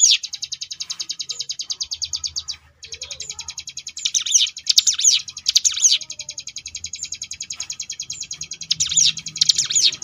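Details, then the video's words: Sunda bush warbler ngebrem song on a training recording for contest birds: long fast ticking trill with a brief break, then repeated loud swooping whistled accents from the middle onward. "cigun ngebrem variasi"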